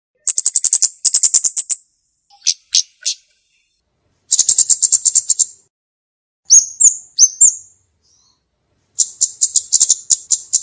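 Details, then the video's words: Pygmy cupwing in lively, clear song: rapid series of very high, thin ticking notes in quick bursts, separated by pauses, with a few short downslurred whistles midway. "Burung KEMADE(CABE-CABEAN) Gacor dan Jernih cocok untuk masteran dan Pikatan"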